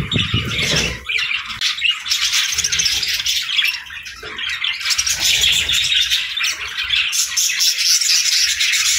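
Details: A flock of budgerigars at morning feeding time fills the air with dense, fast chirping and warbling, a low thud at the start.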